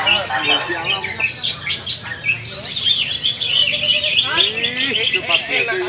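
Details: Cucak ijo, the greater green leafbird, trained alongside other birds, pours out a busy ngalas-style song of bright chirps and fast slurred whistles, with lower warbled phrases after the midpoint.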